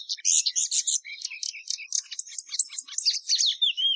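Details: Patativa verdadeira song, a brisk sequence of sharp chirps and short buzzes followed by clear upswept and downslurred whistled notes, all high and quick.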